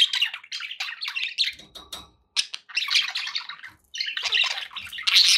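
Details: Pet budgerigars chattering together: busy bursts of warbled, scratchy chirps and squeaks, with brief pauses near two and four seconds before the chatter resumes.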